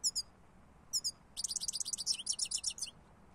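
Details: European goldfinch: two paired high chirps, another pair, then a rapid tinkling twitter of liquid notes running for about a second and a half.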